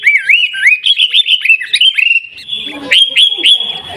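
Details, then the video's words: Sooty-headed bulbul (kutilang) from Mutiara, Pidie, Aceh, singing 'gaya garuda': slurred rising whistles lead into quick chirps, then a steady high tone broken by three loud sharp notes. "Gaya Garuda Burung Kutilang"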